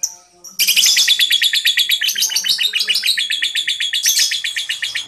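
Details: Young lovebirds under five months old chattering, used as a lure to get other lovebirds to answer: after a brief quiet start, a dense, rapid stream of high, sharp chirps runs continuously to the end, pulsing several times a second.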